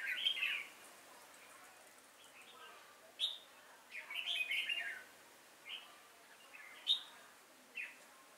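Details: Decoy red-whiskered bulbul at a trapping site, 5 October 2018, singing to attract wild bulbuls; scattered short warbled phrases with long gaps between them, faint background hiss.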